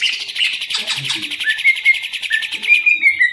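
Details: Caged green leafbird singing a continuous, fast, buzzy trill, ending in a few clear whistled notes.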